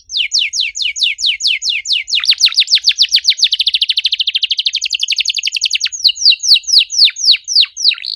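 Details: Rapid 'cuit cuit' canary song serving as a lure for quiet canaries: steady falling chirps accelerating into a very dense trill, then slowing again to spaced sharp downslurred notes.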